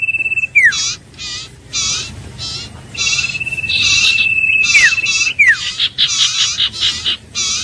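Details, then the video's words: Iora, called Huýt Cô or Chim Nghệ in Vietnam, giving sustained level whistles that each finish in a falling slur. Between them come rhythmic buzzy chattering notes, closing in a dense twittering flurry. "Tiếng chim Huýt Cô(Chim Nghệ) | The sound of birds Aegithinidae"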